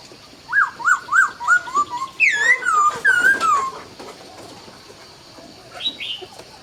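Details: Dawn song of a laughingthrush: five descending whistled notes in a row, then rich looping slurred whistles that fade to a quieter final note.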